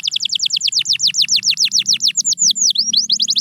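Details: Canary song played to encourage silent canaries to sing: a fast series of high, downward-sweeping whistled notes in even rhythm, switching midway to slower looping notes, then a quicker run.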